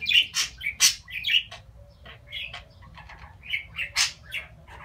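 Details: Talking pet budgerigar, chattering in quick, scratchy bursts and bright chirps with brief pauses, the phrases irregular and squeaky over faint low hum.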